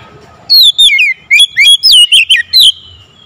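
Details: Loud, strong calling from an Oriental magpie-robin, with two groups of clear, wavering whistles, several notes swooping up and down, delivered rapidly with a short gap between groups.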